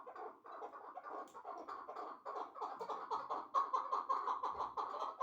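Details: Chukar partridge kept in a cage, from a pair of a wild-caught two-year-old and a one-year-old hybrid: quick repeated chuk calls, softer at first then louder and faster, nearly three notes a second.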